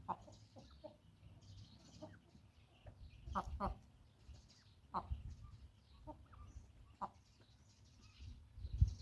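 A chukar gives short, clucking chuk notes at an uneven pace, some in quick pairs, over a steady low rumble of background noise.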